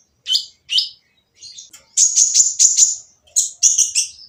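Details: Oriental magpie-robin giving its noisy provoking song to make other birds sing: two separate harsh notes, then long bursts of rapid, grating chatter on a high pitch.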